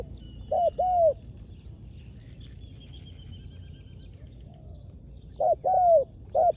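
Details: Decoy spotted dove calling wild doves in a ground trapping setup; one two-part coo phrase early, a long quiet stretch with faint distant birds, then two more mellow coo phrases near the end.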